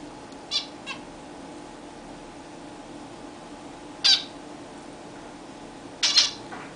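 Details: Zebra finches kept as pets bathing for the first time in a new, bigger cage. A few scattered short nasal calls, one faint early, then a louder single and a double call later, over steady room hum.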